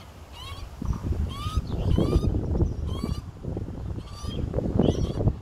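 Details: Baby Australian magpie, second day out of the nest, with both parents feeding it in Melbourne in 2020; scratchy upward-sliding calls in short bursts, partly masked by loud low-pitched rumbling and knocking noise.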